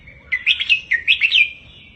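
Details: Tutor song of a red-whiskered bulbul for teaching caged birds, 'double 3-4-5' style: one lively phrase of about six rapid, liquid whistled notes that rise and dip, ending in a thin sustained tone.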